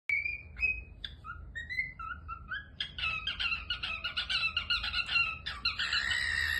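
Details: A cockatiel getting a head scratch gives soft whistled notes, then a burst of busy, chattering chirps.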